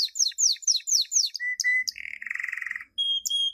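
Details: Canary song used to teach young birds, a 2016 champion training recording: repeated slurred downward sweeps, short flat whistles, a lower bubbling roll, and a final high steady whistle.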